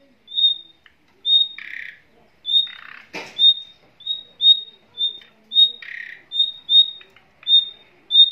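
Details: Nightingale pair with young in a cage: many short high whistles in a regular series, broken by occasional scratchy buzzy notes and one sharp click-like knock.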